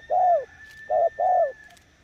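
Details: Spotted dove kept as a decoy, three low hoarse slightly falling coos, the first long, then a short and a long one, over a steady thin high tone.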